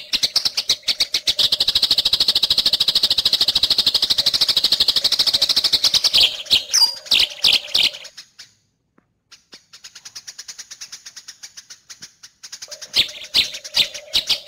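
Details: Eurasian tree sparrow in fighting style, recorded as a master song for training songbirds such as cucak hijau and murai batu: dense, rapid high chirps, briefly pausing, then resuming as softer ticking, with a steady low hum throughout.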